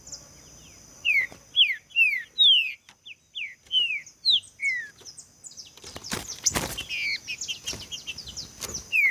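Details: Green-winged saltator song for prompting other saltators to sing; a run of sharp falling whistled phrases, followed by a burst of clattering noise and further notes.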